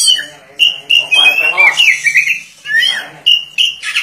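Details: Oriental magpie-robin in full song, tail spread wide: a continuous stream of whistled notes mixed with harsh, raspy and squeaky phrases, sliding up and down, with sharp clear whistles near the end.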